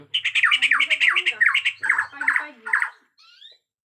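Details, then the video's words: Agitated Bornean white-rumped shama in natural forest sound: a fast, loud run of varied whistled and chattering phrases, two to three per second, swooping up and down, closing with a faint thin rising whistle. "Murai Batu Borneo Ngamuk suara asli hutan"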